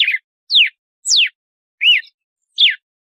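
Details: A red-cowled cardinal (galo-de-campina) sings a measured "compasso" song of clear, whistled notes, mostly slurring downward, with one arched note, about every two-thirds of a second.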